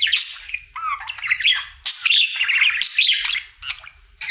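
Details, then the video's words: Pet male budgerigar warbling indoors during its daily singing: a short burst of chirpy, scratchy notes with a brief low whistled slur, sharp clicks and a squawk near the end. "Budgie singing for 1 Hour Happy song!"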